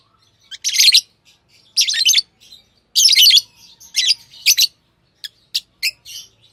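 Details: Chirping from tame pet lovebirds: loud, raspy, high chirp bursts about a second apart, followed by several brief, sharp clicks and tweets, in a quiet room.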